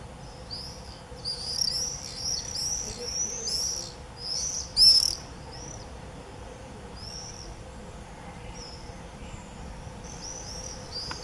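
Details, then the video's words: Common swifts in early July 2018 give shrill, buzzy screams in quick overlapping bursts (a swift "frenzy"), loudest in the first five seconds, then fainter and more scattered over a low steady hum. "Gierzwaluw gekte"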